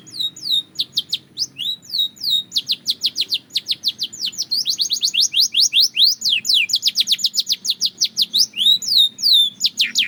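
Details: Belgian canary song used as daily singing practice: opening sweeping whistles give way to long, dense rolling trills of quick repeated downward notes, with varied phrases throughout.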